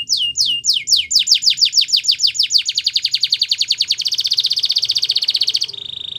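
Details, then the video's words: Belgian canary song used to train canaries: rapid high downslurred notes repeated in a rolling series, accelerating into a fast rattling buzz, then ending on a brief steady high tone. "Belgian Canary Singing"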